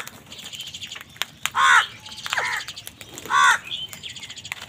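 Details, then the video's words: Angry wild crow fighting other wild birds for food: two loud, harsh, arched caws about two seconds apart, with faint chirps and squeaks from smaller birds in the background. "Wild birds fight with crows for food | Crow bird unity anger and sund | Angry kawa ki awaaz"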